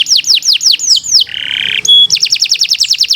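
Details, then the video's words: Canary singing continuously as a model song for training birds: a string of sweeping downward whistles, a short buzzy flat note, a brief pure high tone, then quick repeated falling chirps. "Kicau Burung Kenari 142 II LUAR BIASA GACOR PANJANG Cocok untuk Masteran"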